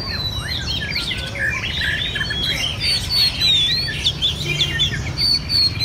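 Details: Red-whiskered bulbuls in a singing contest in central Vietnam: dense overlapping bright whistled phrases and chirps, several birds at once, with a steady low rumble of background noise beneath.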